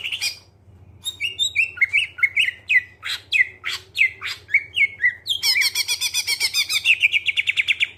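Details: Greater green leafbird song used to lure other birds into singing: quick whistled notes and sharp ticks, then a long run of rapid buzzy chattering notes. A low hum runs underneath.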